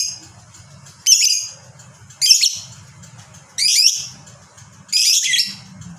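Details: Lovebird, fighter style with long ngekek song, played so other lovebirds respond: four loud harsh screeching bursts roughly every second and a bit, each rasping and high, separated by quiet gaps with a low hum.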